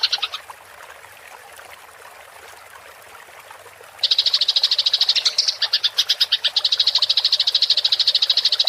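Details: Eurasian tree sparrow chatter, a fighting rolling style used to tutor songbirds. A short burst opens, then about four quiet seconds, then a long, loud run of rapid high chirps.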